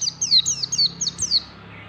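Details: White-eye singing ngalas style in the morning: a quick string of six high, bright down-slurred whistles within under two seconds, then fading.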